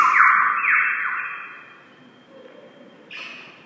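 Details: Wavering electronic tones that slide downward fade into a low hiss, followed by a brief bright burst of sound near the end; no animal is heard.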